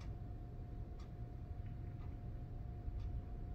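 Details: A low indoor rumble with a steady hum runs throughout, and faint ticking clicks come roughly once a second, but no animal voice is heard.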